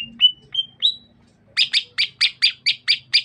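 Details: Sukamade-type greater green leafbird, Banyuwangi in East Java, its opening said to mimic the Keluar bird: four short rising whistles, a brief pause, then a fast run of about eight harsh, buzzy, evenly spaced notes.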